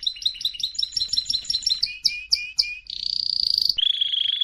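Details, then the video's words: Singing canary used as a training song: rapid doubled twitters, then a few spaced sharp notes, then a dense rolling trill and a steady lower whistle, all high-pitched and loud against a quiet background. "طائر الكناري يغرد بصوت ناري canary singing training"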